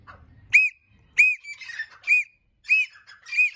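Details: Francolin uttering clear, ringing whistled notes, each arching up then down, repeated about every two-thirds of a second. Softer, scratchy notes fall between them.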